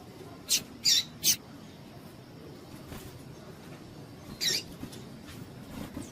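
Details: Female double-collared seedeater calling to excite males for singing tournaments: three short, sharp high chips in quick succession, then one more chip after a pause of about three seconds, over low background hiss.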